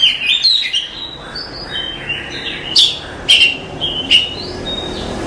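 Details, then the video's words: Oriental magpie-robin masteran for training cage birds: rapid warbled phrases at first, then sparse sharp notes and thin whistles over a noticeable background hum. "Suara Masteran Kacer"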